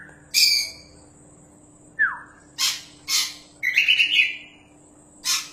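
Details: Champion Oriental magpie-robin (kacer) in lively song used for tutoring songbirds: sparse sharp chirps and a falling whistled slur separated by pauses, then a rapid fluttering trill of high notes, over a faint steady hum.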